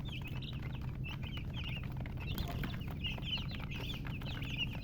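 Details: Baby chicken chicks chirping: a crowd of high, quick peeps, rising and falling, coming in clustered bursts over a constant low hum.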